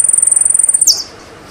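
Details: Saffron finch, called jilguero argentino, ends a fast, even high trill with a single loud downward-sliding note, followed by quiet.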